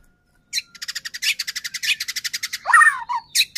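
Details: White-rumped shama song, a caged bird used to provoke another shama into singing: a rapid train of evenly repeated buzzy notes, then a sweeping slurred whistle and a sharp final burst.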